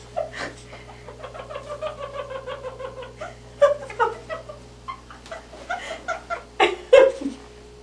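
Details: Pet male Monk parakeet (Quaker parrot) indoors, perched in a person's hair, giving a run of quick, chirpy, slightly nasal notes with rising and falling inflections, talking and singing in a small room.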